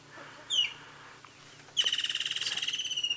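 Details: Woodland kingfisher calling at sunset in an African game reserve, 13 March: a sharp high note, then a loud rapid trill of about a dozen notes per second, descending slightly and running on.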